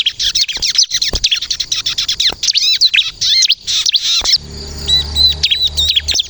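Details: Bar-winged prinia (ciblek kristal) pouring out a chattering song meant to provoke other prinias to answer: quick high tweets and looping whistles, then a lower hum enters behind the last few seconds of sparser chirps.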